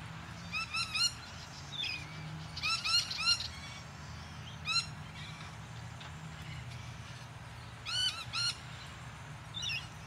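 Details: Buff-banded rail at Deception Bay, south-east Queensland, Australia, filmed by digiscoping: short, bright, squeaky notes with hooked, rising shapes, given in quick clusters of two to four, with pauses of one to three seconds between bursts over faint low background rumble.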